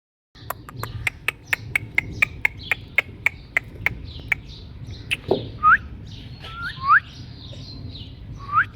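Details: Indian ringneck parakeet, a talking parrot imitating a cat's meow: a steady run of sharp clicks about four per second, then short, rising whistled notes and soft chirps in the second half.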